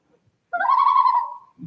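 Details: Common loon (Gavia immer), tremolo: distress alert when a person or predator comes too close.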